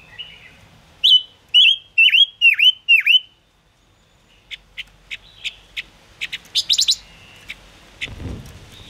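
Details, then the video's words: Five-coloured bird (Gouldian finch) song for trapping: a run of six quick whistled notes, each dipping sharply and rising again, then scattered short chips. A low rumbling noise follows near the end. "Tiếng ngũ sắc hót chuẩn 2022 dùng bẫy ngũ sắc hiệu quả"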